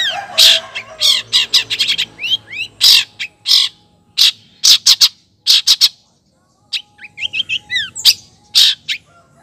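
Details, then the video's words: Female long-tailed shrike, calling for a male, delivering a dense, varied run of harsh rasps mixed with curving whistled notes and chatter, pausing briefly midway before resuming. "cendet betina gacor manggil cendet jantan"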